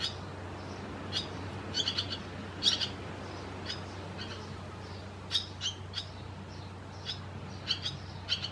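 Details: Sharp high chirps of barn swallows in Croatia, arriving singly and in quick doublets or triplets at uneven intervals, with a faint low background hum.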